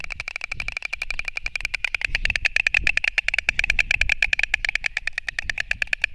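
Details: White storks clatter their bills in a fast, dry, wooden rattle of many strokes per second during a fight between storks, recorded from a Latvian nest livestream on 29 March 2024, over a low rumble of wind or traffic.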